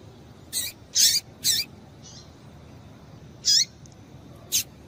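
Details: Female Double-collared seedeater calling to stimulate males to sing: six short, sharp, high chirps, each ending in a lower down-slurred tail. They come in an uneven cluster over five seconds against a quiet, faint hiss.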